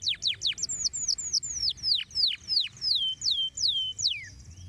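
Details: Canary song played to stimulate canaries to sing: a fast series of high, clear whistled notes sweeping steeply downward, about three a second, becoming longer and slower toward the end.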